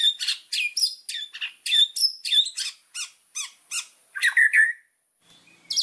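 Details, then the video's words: White-rumped shama (murai batu) singing vigorously as a master song for training birds: a rapid run of varied, scratchy and squawky high notes with short whistled slurs, ending in a loud burst of descending notes before a pause. "MASTERAN MURAI BATU GACOR !!! FULL ISIAN LANGSUNG EMOSI !"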